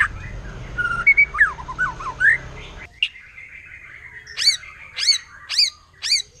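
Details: White-rumped shama, a wild forest bird, singing to rile rival shamas: quick slurred whistles over faint low rumble, then a long thin note and four loud sharp downslurred notes about half a second apart.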